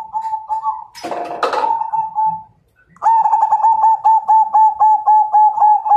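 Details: Majapahit-strain zebra dove calling out a rival to fight. A steady coo is broken by a harsh rustling burst, then after a short pause comes a long, fast series of clipped, rhythmic cooing notes.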